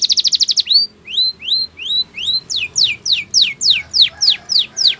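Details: Spanish Timbrado canary training song: fast bubbling trill, then rising whistled slurs about twice a second, followed by a series of sharp descending notes.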